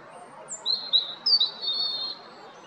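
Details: European robin singing at Jarun, Zagreb, Croatia, on 13 April 2022: a thin, very high whistled note slides down, followed by a short run of high sibilant notes and a long, wavering, shimmering whistle. The background is quiet.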